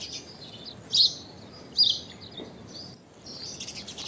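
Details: Common myna making an unusual call: two loud, sharp, high chirps less than a second apart among softer scattered twittering and steady background hiss.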